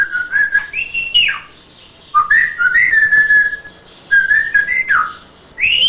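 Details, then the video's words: An African grey parrot born in January 2000 gives a run of clear, mimicked whistles, steady notes with quick rising and falling slides, in three bursts separated by short pauses. "papagaj prica imitira"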